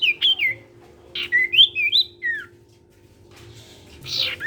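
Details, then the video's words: Sirtu bird singing eagerly to get others of its kind to join; a run of clear whistled notes, some falling, some rising, then a pause and a rasping burst, with steady background hum. "SIRTU CIPOW GACOR BIKIN SIRTU BAHAN IKUT BUNYI."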